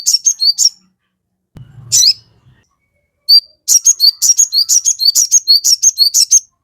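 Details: Crested jay in full song used to provoke birds: brief high chirp bursts, a noisy thump, then a long steady train of paired whistle-and-chirp notes repeated at a brisk pace.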